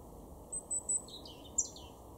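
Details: Garden European robin in Weener, East Frisia, Germany, in October 2022: three thin, high whistled notes, then a short tumbling high warble, over a steady low rumble.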